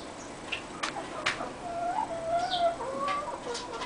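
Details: Barred hen laying an egg, giving soft, drawn-out wavering calls that rise and fall in mid pitch, broken by a few sharp clicks and scuffs.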